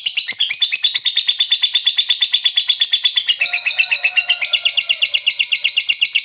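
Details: Long ngekek trill from a lovebird, sung to provoke rival birds into answering: a fast stream of high, scratchy chirps held continuously, with a faint lower tone briefly underneath midway.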